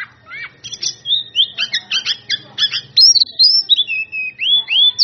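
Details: Song of an Oriental magpie-robin calling out rivals in open ngeplong style: after a soft rising note, loud clipped chirps come in quick bursts, followed by long, clear, looping whistles that slide up and down.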